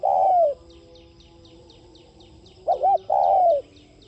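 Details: A long falling coo ends one phrase. After a pause, a spotted dove gives a fresh phrase of a brief double note and a sustained descending coo, used to stimulate other doves to coo. Soft repeated high chirps continue in the background.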